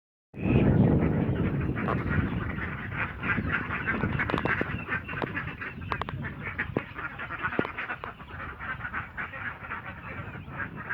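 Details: Ducks in Assam, a dense chorus of many overlapping nasal quacks running continuously throughout, with a burst of low rumbling noise at the start and steady background din.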